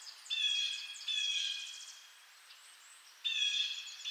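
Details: Blue jay uttering rasping, buzzy calls, two in close succession, then a pause and another, over soft background hiss and faint high chirping.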